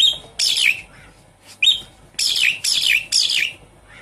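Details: Captive Javan pied starling song, played as a lure to restart singing in a silent bird: harsh, buzzy, broadband bursts about half a second long, repeated in quick succession between a short whistled chirp.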